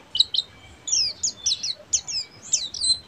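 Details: Buxtomi Oriental white-eye singing ngeriwik style, two quick high chirps followed by a string of descending whistled slurs and twitters, each note dropping sharply in pitch.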